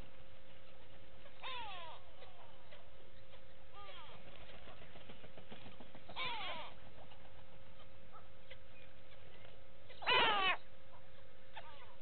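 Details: Go-away-birds at Gowrie dam waterhole, Djuma Game Reserve, Sabi Sand, South Africa, on 6 June 2018, giving nasal, bleating, downslurred calls in short bursts every few seconds, the last loudest, over a steady low rumble.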